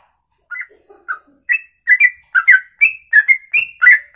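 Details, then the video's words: Songbird delivering a special long ropelan song in one breath, over two minutes long; a few soft low notes open, then rapid sharp whistled chirps follow in a quickening string, about three per second, clean background. "Inilah Ropelan Sekali Nafas 2 menit lebih"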